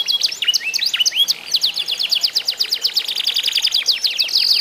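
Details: Kenari isian canary singing in a contest, used as sound therapy to get other canaries singing: rapid high chirps run into a steady fast trill of pulsed notes, ending in a sustained bright warble.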